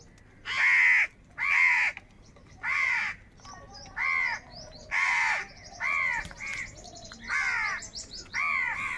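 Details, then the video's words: A flock of crows gathering and calling angrily over food gives about nine harsh, hoarse caws spaced roughly a second apart, with thin twittering of small birds in the gaps. "Crow Birds Unity Anger and Sound | All types of Crow Sounds | কাকের ডাক Crow Sound Loudly"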